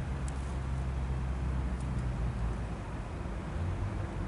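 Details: Low, steady road traffic rumble with a few faint clicks, and no animal sounds.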